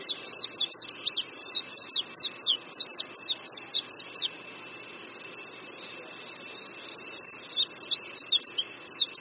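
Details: Singing Oriental white-eye in China: a loud, quick series of high, downward-slurred whistled notes, about three per second, then a short break and a second tumbling twittered phrase, over a faint steady hum.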